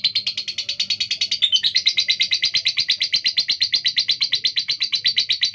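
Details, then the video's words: Caged female lovebird with a harsh, speedy voice delivers a continuous stream of rasping chirps in quick, even succession, around three each second, with one brief squeaky break near the middle. "Lovebird betina fighter suara kasar speed"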